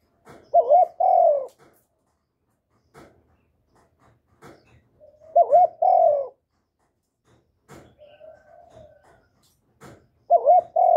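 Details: Spotted dove cooing to attract other doves. Paired coos, a wavering note then a fuller one, come roughly every five seconds, with faint tapping clicks and a soft distant coo between them.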